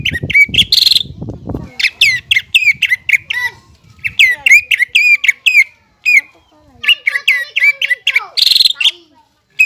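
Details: Singing cucak ijo, or greater green leafbird, used as a tutor so young birds sing sooner. Low muffled sounds open, then long runs of sharp, rapid whistled and chipping notes, some grouped in fast trills. Pauses fall between the bursts.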